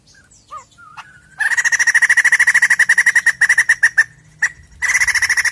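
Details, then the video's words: White-crested laughingthrush sound used as a lure to set a caged bird singing: after a few soft notes and a thin whistle, a long burst of rapid, harsh staccato chattering runs for about three seconds, then stops and starts again. "Pancingan Bunyi Poksay Jambul Gacor!!!"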